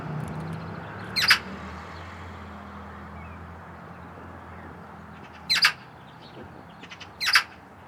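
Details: Eurasian magpie giving three short, harsh rattling chatters, spaced irregularly several seconds apart, each a dry burst of rapid notes over a low steady background hum like distant traffic.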